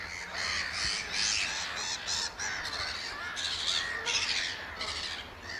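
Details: Piping display by oystercatchers at Amwell Nature Reserve, April 2014. Strident, high piping notes run in rapid clusters with brief gaps between them, loud and close against a quiet background.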